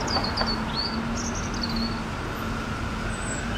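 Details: A European robin at Guildhall sings a short warble of thin, high, wavering phrases that slide up and down, over a steady low rumble of city traffic.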